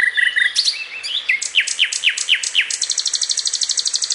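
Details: Common nightingale song with crystal tones and sharp rasping bursts: short steady whistles, upward slides, a series of falling notes, then a long, rapid, evenly pulsed high rattle.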